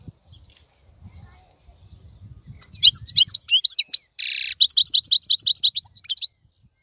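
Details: Wild-caught European goldfinch, still active and in bright plumage while other birds are silent and molting, sings a fast high twittering phrase of tinkling notes broken by a brief harsh buzz, then more rapid chirps; faint low rumble before.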